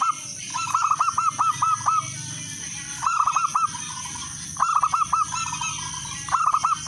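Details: Local zebra dove song played to lure other doves into singing. Rolling, stuttered coos in quick bursts, some phrases of six or seven notes, repeat every one to two seconds. A low hum and high hiss run underneath.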